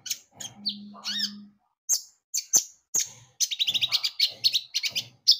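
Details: Javan white-eye singing vigorously as a lure: slurred whistles and sharp single chirps, building into a rapid rattling trill of high notes; a faint low steady hum early on.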